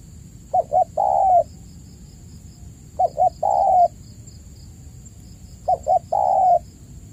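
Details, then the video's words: Lure call of a spotted dove, played to caged doves that have stopped calling. Three phrases in which two clipped notes precede a long, even coo, about every 2.5 seconds, with a faint high whine. "pancingan burung tekukur gacor"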